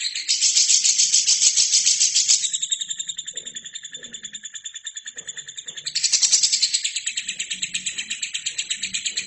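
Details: Lovebird training song for other birds: an unbroken rasping, high twittering trill pulsing quickly and evenly, swelling loud at the start and again near the end, quieter between, with faint low murmurs beneath.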